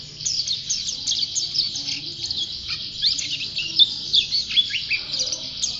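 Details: White-eye, described as a champion bird in full song, delivering rapid high-pitched chirps and slurred twitters in a busy, irregular flow with small louder accents throughout.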